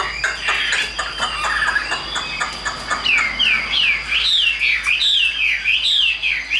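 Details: Caged, hand-tame Chinese hwamei singing loudly. Rapid clicks and mixed notes give way to a clear run of looping whistled phrases, each rising and falling, repeated about twice a second, with a steady high tone in the background.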